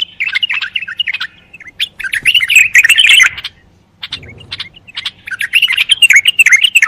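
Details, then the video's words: Bulbul pouring out fast, twittering, warbled phrases in two main bursts, with a short quiet break in the middle. "صوت البلبل الجميل"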